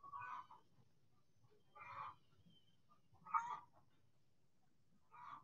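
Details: Backyard chickens out in the sun, giving four bursts of harsh clucking calls roughly every one and a half seconds, with a low steady rumble underneath.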